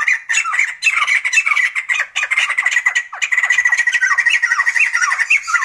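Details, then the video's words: Sumatran laughingthrush in a loud, pulsing chatter of rough, repeated notes with occasional falling squeals, continuing without a real pause. "Sumatran laughingthrush | The sound of birds laughing"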